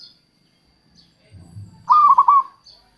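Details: Local zebra dove song meant to attract wild doves: a soft low rumble, then one loud, quick, stuttering trilled coo phrase.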